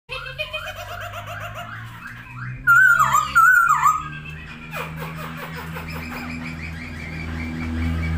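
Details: Masked laughingthrush singing actively while spreading its wings, with a mix of short buzzy notes and a loud wavering whistle near the middle, followed by rapid rasping chatter and a low background hum.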